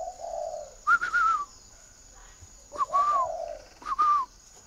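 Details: Spotted dove from a northern Vietnamese breeder giving two drawn-out, hollow coos, interleaved with three higher, slightly wavering whistles.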